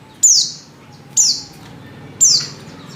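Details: Three clear, piercing, high notes, each sliding downward, spaced about a second apart. The caller is a female white-eye in heat summoning a male.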